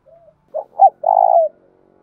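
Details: Spotted dove calling to attract and provoke rival doves; a faint soft note, then two short notes and a long steady buzzy coo.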